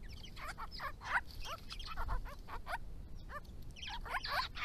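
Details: Grey-crowned babblers of a resident family group in Victoria, bathing and drinking at water in the hot season, calling to each other: a string of sharp rising squeaky notes and rasping chatter, with low rumbling background.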